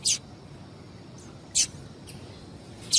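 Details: Female double-collared seedeater calling, a call used to stir males into singing: three sharp, very high, broadband chips about one and a half seconds apart over a quiet low hiss.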